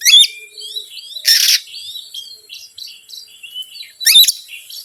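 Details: Provoking lure song of an Oriental magpie-robin: a harsh rasp opens, a broad grating buzz follows, then a stream of varied short whistled notes and a final rasping burst.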